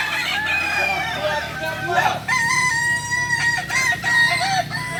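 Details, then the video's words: Kokok Balenggek rooster at a practice meet in Solok. Drawn-out, steady, ringing crow notes hold level for long stretches, broken by short dips. A low hum and a busy, crowded background run underneath. "latberan ayam kukuak balenggek di solok"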